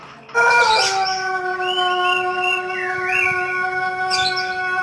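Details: Pelung rooster of the West Java breed selected for its long, song-like crow, used to bait other roosters into crowing. A loud, steady, low harmonic crow runs throughout, while small birds twitter and chirp higher above it.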